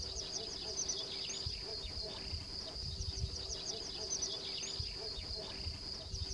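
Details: A Sedge warbler perched on a reed delivers a fast, scratchy chatter of short chirps and ticks, over a steady high insect-like hiss, a low hum and soft wind rumble.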